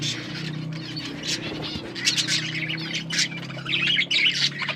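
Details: Budgies give scattered sharp chirps and buzzy warbles, separated by short gaps, over a steady low mechanical hum.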